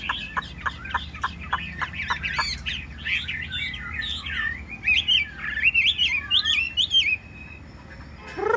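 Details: Yellow-billed hwamei kept as a cage bird sings a series of sharp repeated descending notes, then a dense jumble of rapid warbled and whistled phrases.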